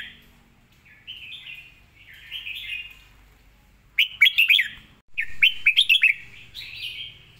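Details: Red-whiskered bulbul in song, in a cage: soft whistled phrases lead into two loud bursts of rapid, rolling warbled notes, ending with a rising whistle.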